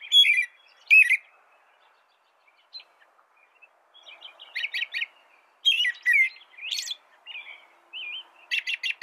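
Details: American robin song. Clusters of whistled, slurred phrases open the recording, then a quiet pause. Denser bursts of warbled notes follow, mixed with thin, very high squeaky notes. The background is quiet.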